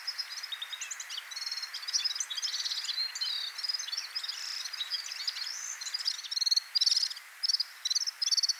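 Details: Red-fronted serin, a small finch of high mountains, giving a continuous high twittering of rapid buzzy trills and chirps, with brief pauses and louder bursts near the end.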